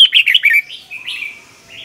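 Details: Red-whiskered bulbul's doubled-style training song: one rapid run of rolling, liquid notes, trailing into softer drawn-out whistles.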